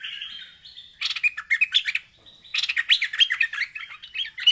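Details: Agitated bulbul calling a rival. It opens with a softer sustained note, then breaks into quick, bouncy chattering bursts of rising and falling chirps.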